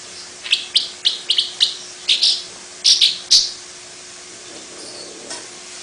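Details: Long-tailed paradise whydah, small and long-tailed, delivering its characteristic chatter: a rapid run of short, high, buzzy chips, some doubled, fading out after about three seconds, with a low steady hum beneath.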